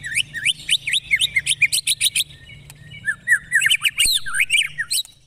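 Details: White-rumped shama, a recording used as song training for other birds, delivering rapid, loud whistled notes sharply upslurred and downslurred in quick bursts, then a short pause and a second run of varied high, ringing phrases.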